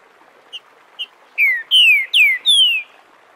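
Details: Live recording of a green-winged saltator's crystalline "Bom dia seu Chico liso" dialect, meant for teaching young birds: two short soft notes lead into four bright, loud whistles, each falling in pitch.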